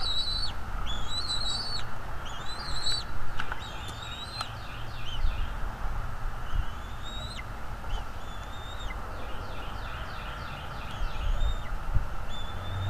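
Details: Bald eagle at the nest, nest camera, morning of 23 April 2021: high whistled notes mixed with rapid runs of short piping chips, repeated through the passage above a constant low background hum.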